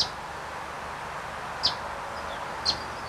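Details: Eastern Bonelli's Warbler (eastern race orientalis) at Whitley Bay Cemetery, Tyne & Wear, late September 1995, gives its distinctive call: three short, sharp, high chip notes about a second apart, over a steady background hiss.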